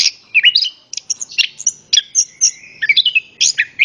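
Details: Orange-headed thrush singing in full voice, used to prompt other birds to sing: a fast, varied run of sharp whistled chirps, slurred rising and falling notes and short trills, delivered in quick bursts with no other sounds.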